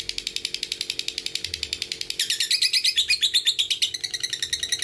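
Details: Lovebird ngekek song used as a training lure for young and fighter birds: a long, fast trill of buzzy notes repeated almost three times a second, shifting halfway into a brighter, higher rattling run, with a steady low hum beneath.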